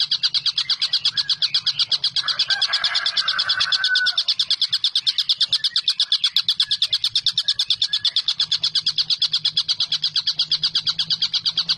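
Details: Collared kingfisher calling vigorously, offered as a tutor recording for songbirds such as white-rumped shama, greater green leafbird and lovebird: a fast, steady stream of harsh, high clicking 'kek' notes, about seven each second, with a brief whistled phrase from another bird midway and a low hum.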